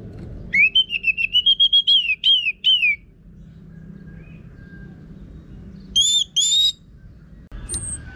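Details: Orange-headed thrush singing energetically with a rough voice, a lure for training birds to sing; a quick run of about ten short rising whistles and slurred notes, a pause, then two high harsh notes and a thin whistle.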